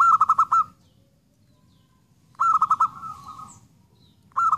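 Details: Zebra dove song: loud pulsed cooing bursts of about five beats, each trailing into a held note, repeating roughly every two seconds in an otherwise quiet setting.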